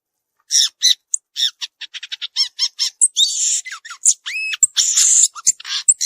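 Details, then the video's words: A violaceous euphonia sings in natural surroundings, pouring out quick high chips and harmonic notes that speed into a stutter, then buzzy bursts and a pair of clear rising whistles. "Gaturamo verdadeiro cantando na natureza"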